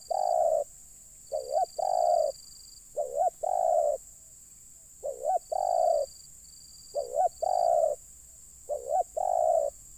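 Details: Spotted dove cooing during bird-luring to draw wild doves down: repeated phrases of two quick rising notes then a long, hoarse, level coo, about five phrases in ten seconds, over a steady high hiss.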